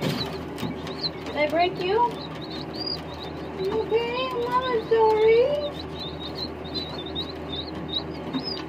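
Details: Pheasants eating crickets give soft whistled notes that rise and bend, in two short bursts, over faint high chirps and low background murmur.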